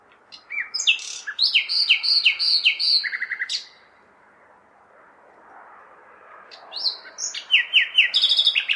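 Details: Common nightingale singing on a May night in a large city to call in females: two phrases of sharp whistles and rapid repeated notes, split by a three-second pause, over a steady low urban hum.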